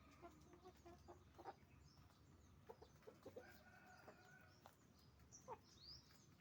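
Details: Roosters and hens making noise on a chicken farm: scattered short clucks and squawks, a longer drawn-out call in the middle, thin high chirps near the end, over steady low background noise.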